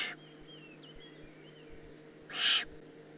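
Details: Eurasian eagle-owl youngster in the Eifel on 18 June 2016. One hiss is cut off at the start, then a single loud, broad, rasping screech comes after about two seconds of quiet hum.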